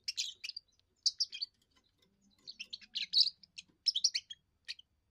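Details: European goldfinch, a young bird in its first song, sung for territory defence and attracting a mate: lively bursts of high tinkling twitters and buzzy trills, with a faint low hum beneath in the middle.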